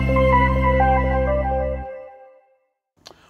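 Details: Soft keyboard music with a deep sustained bass and a gentle melody fades out over two seconds, followed by a faint click; no animal calls.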